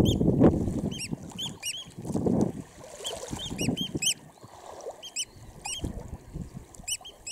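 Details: Eurasian oystercatcher chicks seen close up at RSPB Snettisham, Norfolk, UK, on 19 July 2016: short, sharp, high peeping notes in quick bursts of two to four, with pauses between, over low rumbling wind noise.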